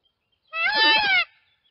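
An Indian peafowl gives one loud, nasal, wailing cry lasting under a second, rich in harmonics and slightly arched in pitch, against near silence.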